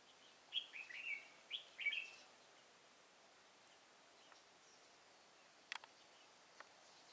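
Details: Red-whiskered bulbul singing at a bird-trapping site in Thái Nguyên, Vietnam, on 13 August 2018: a brief burst of bright, slurred whistled phrases, four quick warbling notes within two seconds, then quiet broken by a few faint clicks.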